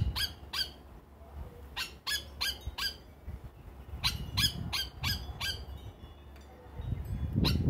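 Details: Yellow oriole, locally called plantain bird, at a feeder in Trinidad before settling for the evening; sharp harsh clicking calls come in quick bursts of three or four, with low rumbling background noise.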